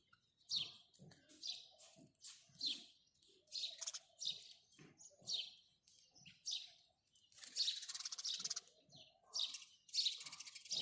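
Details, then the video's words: House sparrow chirping steadily: sharp, high chirps repeated roughly every half second, with a denser, louder cluster of overlapping chirps near the end; quiet background. "house sparrow birds call | house sparrow sound | house sparrow chirping"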